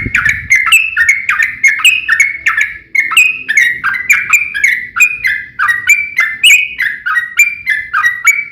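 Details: Yellow-vented bulbul in long, rapid fighting song, used to make other bulbuls answer emotionally. A steady torrent of bubbly, downslurred notes flows without a break.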